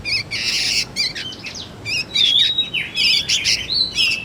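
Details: Young sooty-headed bulbul used as a lure and tutor for magpie-robins: rasping buzzy chirps, then a thin drawn-out whistle slurring slightly downward, followed by more scratchy bursts and another sliding whistled note.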